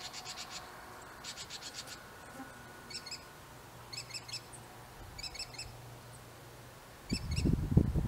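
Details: Northern mockingbird singing in an apple tree: quick bursts of high, sharp chirped notes, each phrase type repeated three to five times before switching to a new one, with a low rumbling thump at the end.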